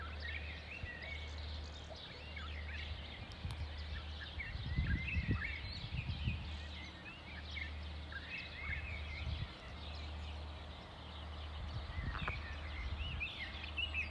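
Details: Sparrows chirp together in the morning in Sultan Yacoub, Lebanon, a busy, overlapping chatter of short, bright notes over a low steady hum and some background rumble.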